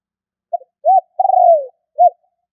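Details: Spotted dove call used to lure birds and rouse a decoy: a brief soft note, an arched coo, then a long rolling coo sliding downward, and a final arched coo, all low and mellow against total silence.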